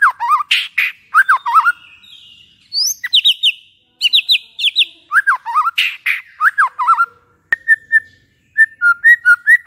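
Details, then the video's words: Kept white-rumped shama song played to stir a bird to sing, in the afternoon: varied loud whistled phrases, sharp rising notes and rapid ticking bursts separated by short silences. "PANCINGAN MURAI BATU AGAR EMOSI DAN BUNYI"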